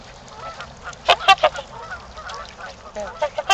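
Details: Trumpeter swans during mating time at a park in Ann Arbor, Michigan: short, sharp nasal honks clustered around the middle and end over a steady low background hiss.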